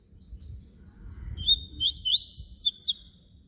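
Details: Papa-capim seedeater, baiano type, singing its flute-style song: a run of bright, quick whistled notes, some sliding and some rising, delivered in a rapid burst of about seven phrases over a faint low rumble.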